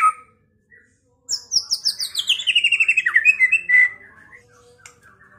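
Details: White-rumped shama song used as a lure to goad a rival bird into fighting and singing, a bright run of quick notes stepping steadily downward from very high to middle pitch, ending in a short warble.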